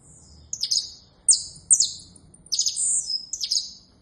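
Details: Saffron finch (canário da terra) giving short, sharp, high chirps that slur downward. They come in four loose bursts about a second apart, some doubled or run together, over quiet background hiss.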